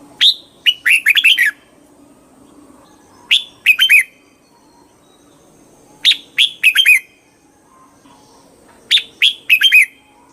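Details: Red-whiskered bulbul singing a bright, chirpy phrase of quick rising and falling whistled notes, the same short phrase repeated about every three seconds, with quiet low background noise between phrases.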